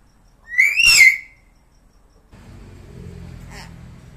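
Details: Hill myna, called a talking bird: a single strong, wavering whistle that rises then dips, rich in overtones. It is followed by a faint low hum and a brief soft rustle.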